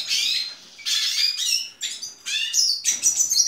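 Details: Hooded siskin born in April 2019, singing in the 2019 season: short bursts of high, twittering, rapidly trilled notes with bright whistled accents, separated by brief pauses.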